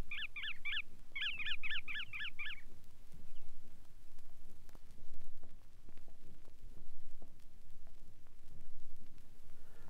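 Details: Bar-tailed Godwit calls from a Soviet sound-guide record of waders: two quick bursts of rapid, nasal, down-slurred notes, three then six in a row, filling the first three seconds, followed by record crackle and low hiss.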